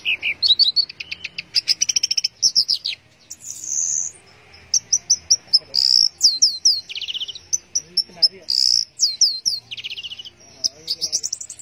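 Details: Orange-headed thrush in teler-style song: dense, fast bursts of high whistled notes and rapid trills, with rising slurred phrases repeated in quick succession and little pause.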